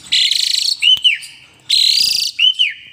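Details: Caged Asian pied starling bobbing its head while in full song, giving a harsh buzzy rasp followed by two short whistled dips, the phrase repeated twice.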